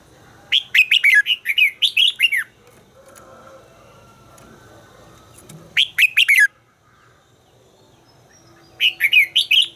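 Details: Red-whiskered bulbul being trained to sing, delivering three energetic phrases of rapid, bright warbled notes, each a second or two long, separated by pauses of about three seconds with faint background hum.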